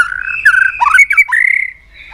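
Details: Loud, rich White-rumped shama song used to stir rivals: a smooth flowing whistle broken by quick downward slurs and short fluty notes, rising into a long sustained whistled phrase.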